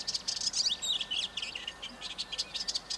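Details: Black-headed bunting song at Skala Kalloni, Lesbos, Greece, in May 2010: a busy run of high, bright chirps and buzzy slurred notes, about three to four per second, with faint background hiss.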